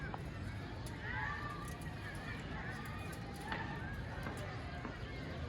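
A rose-ringed parakeet talks, saying a short phrase of human-like words in a thin, raspy voice over a steady low rumble of background noise.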